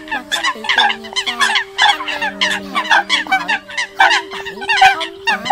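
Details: Eurasian coot calls from a lure recording made for catching birds. A busy flock gives rapid, crowded honking and clucking notes, nearly two a second, over a steady background hum.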